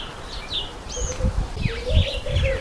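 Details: Speckled pigeon flock, with a low wavering coo rising in the second half, mixed with high whistled chirps and a downward-sweeping call from other birds and muffled low thumps.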